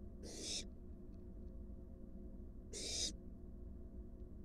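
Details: Two separate breathy hisses, about two and a half seconds apart, from a wild barn owl nest where an adult brings its fledgling a large rat. A low background hum runs throughout.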